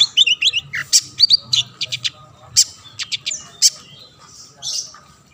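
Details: Long-tailed shrike in lively song used to prompt other shrikes to sing: dense, varied bursts of high chirps, scratchy buzzes and sharp clicks, about one phrase per second, with a fuzzy trailing note and brief pauses near the end.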